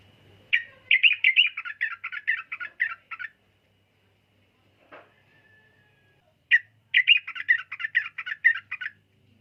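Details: Sooty-headed bulbul singing two separate bursts of quick, clipped chirping notes, each burst lasting about three seconds, with a short silent pause and a faint low note between them.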